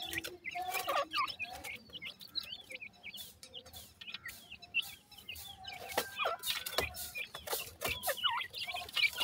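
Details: Brood of grey francolin chicks, sindhi teetar, chirping continuously: rapid high peeps, many rising or hooked, about three or four per second from several birds, broken by loud taps and clicks.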